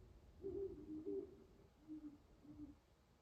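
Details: Owl at dawn over an ice-covered pond in Carver, Massachusetts, done hunting for the night; a pair of low, wavering hoots followed by two softer, shorter hoots spaced about half a second apart, quiet surroundings.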